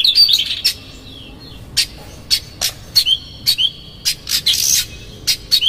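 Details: Oriental magpie-robin lure song with rough fill-ins, meant to provoke a rival into anger and tail-spreading. Short bright whistles alternate with crisp clicking and rasping bursts, spaced about every half second.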